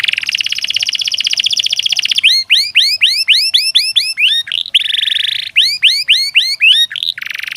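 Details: Canary song used to train lazy canaries to sing: a fast rolling trill first, then repeated loud upswept whistled notes, another rolling trill and more rising sweeps in quick succession.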